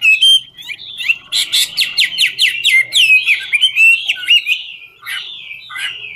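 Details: Singing while dancing, a Chinese hwamei in 'ngũ trường' style opens with a whistle, then a fast run of repeated buzzy, rasping notes, followed by looping whistled phrases that trail off into softer scattered notes.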